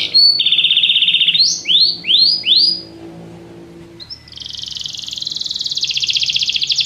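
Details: Canary in full song, a high sustained whistled note followed by several rising-falling sweeps, then a long rapid rattling trill, with a low hum behind.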